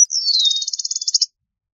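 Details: Eastern meadowlark call: a high note sliding downward straight into a fast, buzzy rattle of repeated pulses that ends abruptly.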